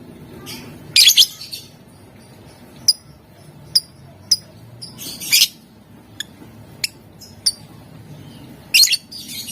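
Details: Lovebird in full voice, stirring rivals to answer: loud shrill chirp bursts mixed with many brief, thin, high ticking notes scattered irregularly, in the ngetik and ngekek styles.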